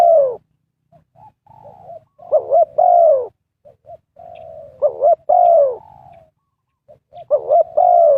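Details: Spotted dove calling to draw wild birds into a trap. It repeats phrases of soft short notes, a wavering double coo and a loud, long, down-slurred coo, about every two to three seconds.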